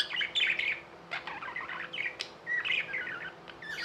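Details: Domestic budgies chattering with mixed warbles, buzzy notes and short squeaks, a sharp click near the middle, sound fairly continuous and overlapping.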